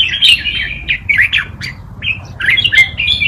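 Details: Red-whiskered bulbul singing a forest-style tutor song played for young birds to learn from: bright, chirpy whistled phrases rising and falling in quick bursts, with brief pauses between notes and a faint low hum underneath.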